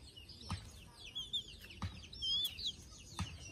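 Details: Sleepy chicks settling for the night give thin, high peeps, a few louder whistled notes rising and falling clearly above the soft chatter, with three sharp taps and a low hum.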